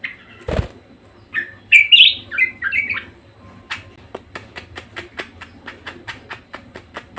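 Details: A short burst of squeaky budgerigar warbling in the middle, followed by a steady run of dry clicking ticks about four per second; a thump is heard near the start.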